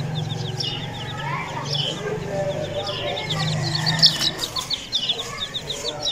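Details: Aseel chicks cheeping in quick high bursts of short descending notes, growing busier toward the end, over a low mechanical hum.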